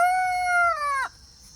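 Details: A pastured rooster on an off-grid homestead crows one loud, steady, nasal note for about a second, then lets it sag and break off in a falling tail; quiet background otherwise.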